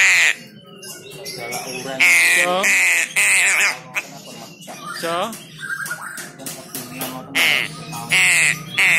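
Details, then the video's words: Young crow calling in a rapid series of harsh, rasping squawks, some long and drawn out, others short, over background music. "anakan Burung GAGAK yang sangat cerdas"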